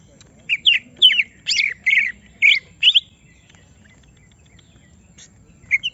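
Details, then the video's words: Agitated caged greater green leafbird gives a short string of loud, squawky whistled notes, then falls silent before resuming. "Semua Cucak Ijo Langsung Emosi Bongkar Isian mendengar suara Cucak Ijo lagi di Trek Emosi ini"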